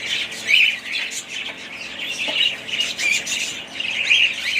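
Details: Family of budgerigars chattering loudly, high squeaky chirps and rasping warbles overlapping in waves, a few faint soft taps underneath.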